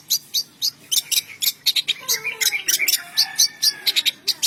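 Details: Morning song of a long-tailed shrike in Indonesia: rapid, evenly spaced high chattering notes and scratchy chirps, with a faint lower slurred whistle running underneath in the middle.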